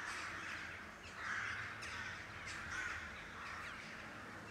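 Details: Crows, likely carrion crows though the species is uncertain, give hoarse, grating caws, the loudest about every second and a half, over rooftops near Blücherplatz in northwest Kiel, Germany, above a steady low traffic-like rumble.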